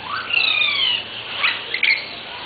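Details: Yellow-rumped cacique (Cacicus cela) gives loud, liquid whistles that slide and warble, ending in a sharp, rising squeaky note; another bird sounds faintly behind.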